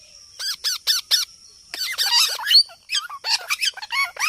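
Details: A ringneck parrot makes squeaky, high chattering: four evenly spaced shrill notes, then a dense burst of scratchy squeals and a string of short, bright chirps.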